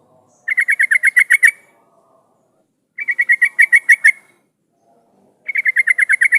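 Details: Lure sound of an actively singing yellow-vented bulbul, played to draw replies from other bulbuls. Three loud runs of about nine quick, even, bright chuk-like notes recur every two and a half seconds over a quiet background.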